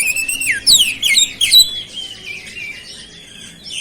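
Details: Energetic oriental magpie-robin song carrying flowerpecker mimicry: a sweet sliding whistle leads into a tumble of fast, high zigzagging notes, followed by a softer, drawn-out twitter.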